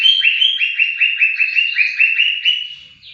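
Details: Greater green leafbird song for training songbirds: a loud, clear run of about a dozen quick down-slurred whistled notes, evenly repeated several times a second, ending on a short higher note.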